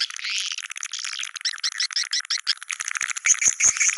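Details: Swiftlet calls of the Goa China style: a rapid run of bright, evenly spaced chirps repeating about three times a second, followed by scattered clicks and sharp high notes.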